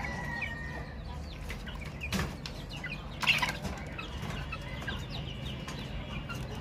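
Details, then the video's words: Baby chicks peeping in a flock: sparse high chirps and a drawn-out whistled note at the start, broken by two sharp knocks or scuffles, over low steady noise. "Chicks Chirping Sounds - Baby Chicken Sounds"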